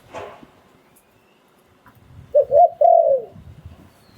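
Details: Spotted dove, a Thai decoy bird, sings in the lunging lew-tan style. One low, mellow phrase of three to four rolling coos comes after a short burst of noise and a quiet pause.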